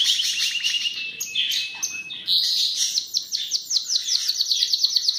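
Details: Trilled rolls, a brief whistled note and a long series of rapid, crisp repeated chirps make up this Belgian canary's continuous song.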